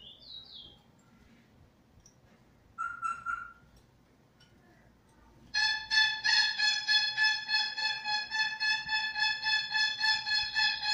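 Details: A Trinidad bullfinch (chestnut-bellied seed finch), a proven tutor bird, recorded 19 February 2020: brief high slurred notes and a short whistle, then a long run of rich, buzzy, rapidly pulsed notes about three a second.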